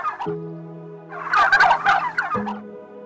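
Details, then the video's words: Turkey gives one rapid, rattling gobble lasting under a second, a burst of quick throaty notes over a steady low musical drone. "Turkey Bird"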